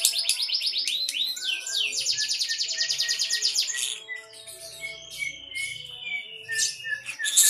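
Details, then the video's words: A lovebird's konslet, its continuous singing: a fast, even trill of high chirps for four seconds, then softer, sparser whistled notes and a final loud squeak, with faint low background sounds. "Ciri ciri lovebird konslet"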